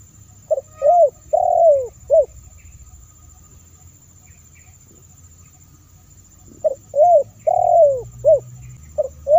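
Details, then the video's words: Lure recording of a spotted dove used to call in wild birds. Two full phrases, each a brief coo, a longer bending coo and a short final note, are separated by several seconds of quiet with low rumble. "Suara Terkukur//Untuk Memancing Burung Terkukur"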